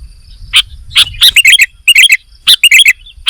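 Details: Sooty-headed bulbul (kutilang) in lively singing form, giving bright bubbly whistled phrases of quick slurred notes, in short bursts separated by brief pauses, with a faint steady insect hum behind.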